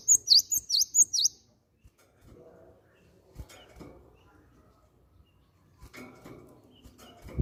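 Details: Cinereous tit calling as a lure to make other birds sing: four rapid, high chirps open the recording, then low rustling and faint clatter fill the remaining seconds.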